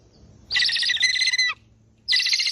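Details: Eagle uttering a shrill, strained scream for about a second that drops in pitch at the end, followed after a short gap by the start of a second scream.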